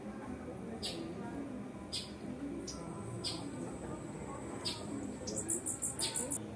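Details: Male bee hummingbird at Palpite on the Zapata Peninsula in January 2017, giving very high, thin chips about once a second, then a fast burst of squeaky notes, over a low murmuring background.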